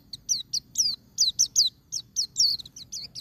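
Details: Wild-type 'ngalas' song of a white-eye, played to encourage caged birds: a rapid, continuous run of about fourteen thin, high, downward-slurred chirps and twitters, evenly spaced, with a faint low rumble beneath.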